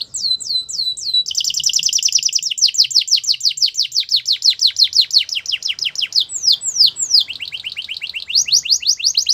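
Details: Belgian canary song meant to get other canaries singing; a few looping whistles give way to a long rapid rolling trill of downward sweeps, a brief pair of slurred notes, then the fast trill again.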